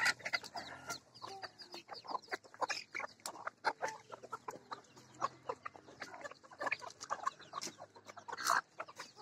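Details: Flock of Pekin bantams giving dense, overlapping clucks and short squawks, many birds calling at once in a busy, continuous chatter over nine seconds, with one louder harsh squawk near the end.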